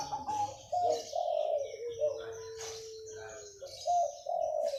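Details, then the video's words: Local zebra dove singing vigorously ('manggung') early in the morning: low, mellow tonal coos in short rolling phrases, then one long steady drawn-out note, then more phrases. Faint higher chirps from other small birds sit in the background. "Masih pagi MANGGUNG,Suara burung perkutut lokal alam gacor"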